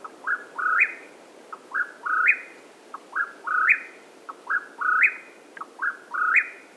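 A Mexican Whip-poor-will repeats a three-part whistled phrase, a short note then a rising, burry slur, about every 1.4 seconds, over a low background hiss.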